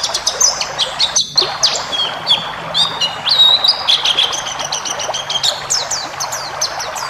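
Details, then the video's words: Training song of a ngalas white-eye for cage birds: a lively chatter of high chirps, clipped notes and thin slurs, with a few longer steady whistles, almost without pause. "masteran burung pleci ngalas full isian"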